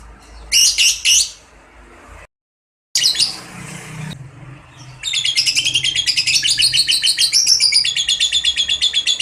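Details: Lovebird ngekek panjang lure for reluctant singers: two brief high chirp bursts and a muffled noisy stretch open, then a sustained fast rattle of high, buzzy repeated notes carries on for over four seconds.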